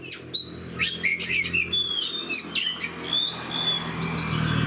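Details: A fighter-type oriental magpie-robin singing hard: quick whistled notes, clear high slurs and scratchy bursts run together in a busy, varied phrase against a faint low hum.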